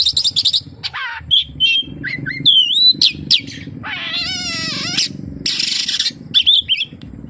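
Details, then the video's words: Oriental magpie-robin song packed with imitated kapas tembak phrases: dense bursts of high chirps, a rising whistled trill, and a long nasal, mewing downslurred phrase with a stepped, wavering tone near the middle. "SUARA BURUNG KACER, FULL ISIAN KAPASTEMBAK"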